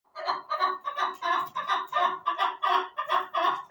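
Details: Chukar partridge giving a steady series of hoarse, clucking call notes, about one every 0.6 seconds, each note a rich, throaty chuk repeated without pause over a quiet background.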